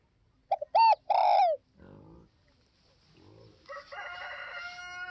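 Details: Spotted dove phrase of clipped notes and a long falling coo, followed by rustling and a drawn-out, buzzy call from another bird.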